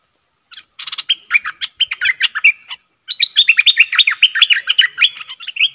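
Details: Bulbul; lure call; luring a rival bird to come and fight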